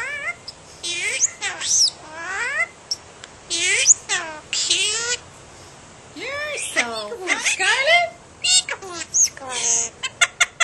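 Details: A hand-raised myna, raised from hatching and talking since shortly after its eyes opened, talks in bursts of raspy, high-pitched human-like phrases that mimic its trainer, with sliding tones, short pauses and ending sharp clicks.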